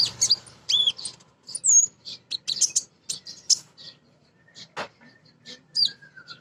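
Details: Rapid chattering song from a female kolibri ninja sunbird, a lure to make birds sing: sharp squeaky notes, quick chirp clusters and an occasional thin drawn-out whistle.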